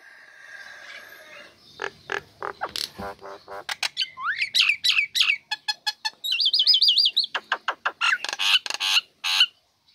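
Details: Female Nias hill myna singing in a cage right after its cover is opened, kept to goad lazy birds into song: scattered clicks build into rapid rising whistles, a wavering trilled phrase, then loud sharp notes.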